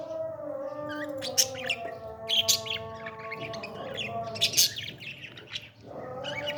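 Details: Baby parrot being fed, giving rough, raspy chirps in short bursts of two or three, over steady sustained instrumental music tones.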